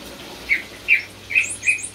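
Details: Greater green leafbird described as a champion, contest-winning bird in full song: four short sharp chirped notes near the middle of the range, spaced about a third of a second apart, with faint very high descending notes toward the end.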